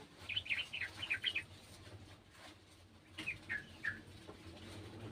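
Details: Sooty-headed bulbul from a garden, calling along with an untrained bird: two short bursts of bright, quick chirped notes, about four or five each, separated by a quiet pause over a soft background hiss.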